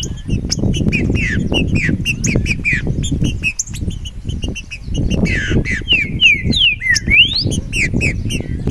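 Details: Green-winged saltator singing while free: bright slurred whistles repeated through the passage, ending in a rising-and-falling cluster of fast notes, over a steady low rumble and crackling background noise.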